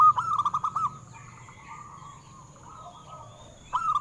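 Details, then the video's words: Zebra dove of a local wild-type strain singing to stimulate captive doves: a fast burst of about six soft, rolling coo notes, a quiet gap with faint murmuring, then another burst starting at the end, with background hum. "Perkutut Lokal BIKIN GEGER - Suaranya mengundang BUNYI"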